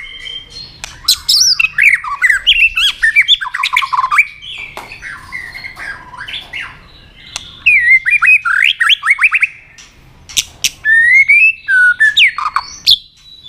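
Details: White-rumped shama being stimulated to fight-sing, tail flicking in aggressive song; rich, varied phrases of whistled slurs, rapid trills and sharp clicks in dense bursts, with a short pause near the middle before renewed loud phrases.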